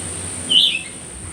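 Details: Single high, thin squeaky chirp from a myzomela, filmed raw on 25 December 2022 to observe its behaviour, quickly trailing down into a softer note against constant background hiss.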